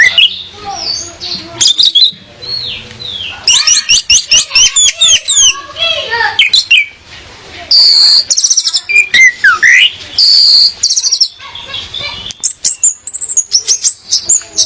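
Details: Song of a female orange-headed thrush to draw in a male: long varied sequence of whistles, chatters, slurred descending notes and high squeaky phrases, with brief pauses between bursts.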